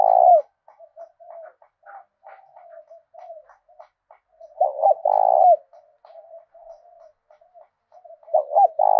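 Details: Southern Vietnamese decoy spotted dove in the 'thổ đồng' voice style, calling to provoke rivals. Loud burry coo phrases open, fall in the middle and close the clip, separated by a stream of faint murmuring notes.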